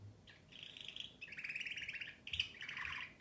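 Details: Canary in continuous song, pouring out fast rolling trills that shift pitch from phrase to phrase, with a brighter, slightly harsher section near the end.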